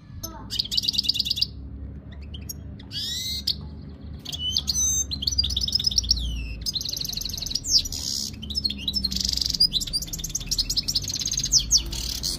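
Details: European goldfinch, Jijel, Algeria, in mating condition. Busy, varied song mixing buzzy trills, tinkling notes and sweeping slurred whistles, delivered nearly without pause, with steady low background noise.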